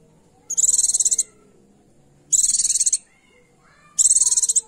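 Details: Three dense, shrill buzzing trills, each about half a second long and spaced under two seconds apart, from a female Oriental white-eye whose call is meant to excite a male into singing.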